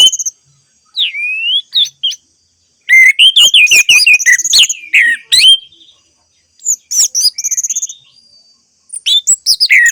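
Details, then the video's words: Orange-headed thrush singing, used as therapy for non-singing birds: a long, loud, varied song of rapid whistles and chirps in three bursts with short pauses, notes sliding up and down. "Terapi Anis Merah Bisu | AM Macet Jadi Gacor Coba Di Putarkan Suara AM Ini"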